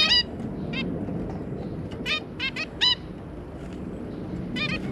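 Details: Zebra finches, a pair with their three juveniles, give short, nasal, toy-trumpet beeps in scattered bursts, several birds calling, over a steady low room hum.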